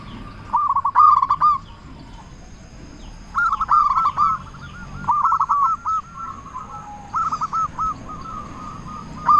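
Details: Local zebra dove from Indonesia, a loud and frequent singer used to provoke quiet doves into replying; three bursts of rapid, rolling cooing notes separated by pauses, with a few sharp clicks and a steady faint high hum behind.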